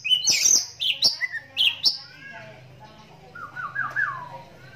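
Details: Pet oriental magpie-robin with a cataract in the right eye since it was young: four loud shrill squeaky notes about half a second apart, then a quieter falling run of mellow whistles.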